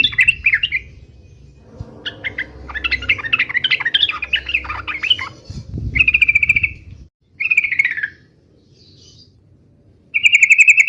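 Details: Fighting song of a yellow-vented bulbul in the uplik-uplik style: harsh chattering phrases, then several short, ringing, bubbly bursts with pauses between, with a low thump partway through.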